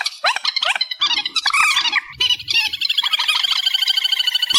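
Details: Loud reed warbler song, amplified: harsh sweeping notes and scratchy chatter, settling into a long, even rattling trill of rapid pulses.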